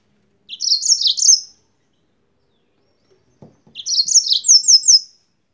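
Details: Yellow-fronted canary from Spain repeats a rapid high warbled phrase twice, the second ending in a string of clear downslurred notes; a few soft low knocks between.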